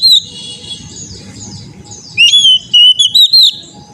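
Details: Oriental magpie-robin (kacer) song played as therapy to train a caged bird to sing: a long high whistled note, then after a pause a run of bright, clear whistled notes sliding up and down, over a low background rumble.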